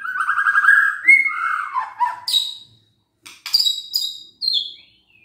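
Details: White-rumped shama song aimed at stirring listless shamas to sing: a fast buzzy trill, descending fluty whistles, then after a short gap several loud, sharp, high whistled notes.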